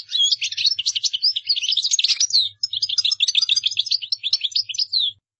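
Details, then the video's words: European goldfinch in gdara song style, offered for other birds to imitate: continuous high, jangling twitter mixing quick chirps, slurred whistles and trills, with one brief break midway, in a small indoor space. "تغريد مقنين قدارة"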